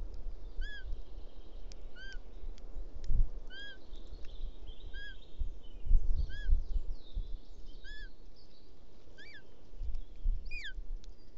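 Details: Bonelli's eagle chick in Ports Natural Park, Catalonia, 19 June, begging for its mother's help after the father delivers a toad; thin arched whistled notes with a bent pitch, repeated roughly every 1.5 seconds over a low rumbling background.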